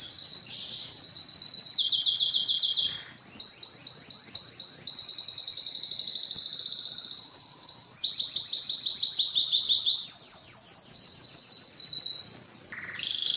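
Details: Belgian canary singing for training and to arouse females for breeding: a long run of fast rolled tours at shifting pitches, broken by two short pauses.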